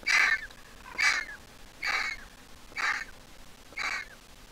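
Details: Griffon vulture nestling hatched in 2023 and placed in a nest, now grown yet still squeaking: five harsh, buzzy squeals spaced about a second apart, evenly repeated over a low hiss.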